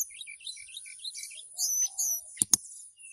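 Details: Mountain tailorbird kept in a cage in Purworejo, Central Java, whistling to attract a female: a quick series of short repeated notes, then longer bright high whistles and two sharp clicks.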